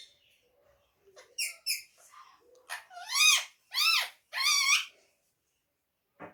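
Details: Pet ring-necked parrot talking in Urdu and Hindi indoors: a few short squeaks build into three long, loud, arching harsh phrases about half a second each, then a brief click at the end.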